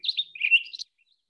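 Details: Townsend's solitaire gives a quick, bright warbled phrase of high chirps that dips lower and rises again, lasting under a second; excerpt from a song containing mimicry of Cassin's vireo, Cassin's finch and western tanager.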